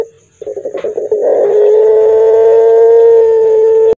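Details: Pelung-type Barbary dove giving a hoarse, deep call: a halting series of rapid rough pulses builds into a single sustained, even, low-pitched coo held for over two seconds before cutting off.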